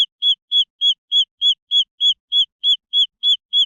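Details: High, whistled chick peeps of green junglefowl, short flat-topped notes repeated very regularly at over three per second, nothing else audible.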